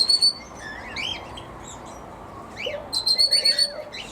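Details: Female Red-rumped Parrot in an aviary, quite vocal, especially in the late afternoon and evening while the birds settle down. Sharp, high chirps and upward-swept whistled notes, a quick series of rapid pulsed chirps near the end.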